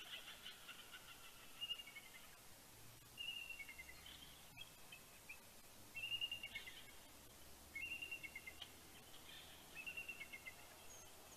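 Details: Bald eagles at Big Bear, California, before sunrise on 26 October 2019, mates greeting each other with other eagles calling. Several bursts of high, thin piping chatter recur every couple of seconds over steady background hiss.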